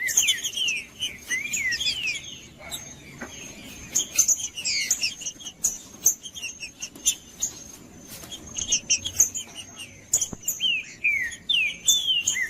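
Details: Wild green-winged saltator singing in the bush, used as natural stimulating audio to warm up cold captive birds: bursts of slurred whistled phrases and high chirps separated by short pauses, over a steady thin high-pitched tone.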